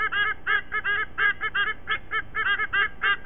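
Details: White-bellied sea eagle at a nest in Sydney, Australia, recorded at 07:45 on 5 October 2023: loud rapid honking, goose-like notes in quick series, several per second, with harmonic-rich clanging tone.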